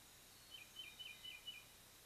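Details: Adult bald eagle at its lofty pine-top nest near Kincaid Lake in Louisiana's Kisatchie National Forest, 3-10-23, after the young had fledged; a quick string of five squeaky, high chittering notes over steady hiss.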